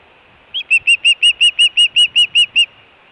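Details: Osprey at the Hellgate nest, Montana, 24 June 2017, food or alert calling from the nest. After a brief pause, eleven loud, ringing whistled chirps run steadily at about five per second, then stop abruptly.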